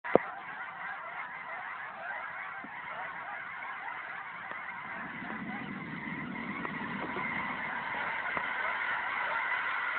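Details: Thousands upon thousands of geese at Lower River Road, Washington, recorded on a phone: a dense, continuous mass of overlapping honks with no pauses, and a low vehicle rumble partway through.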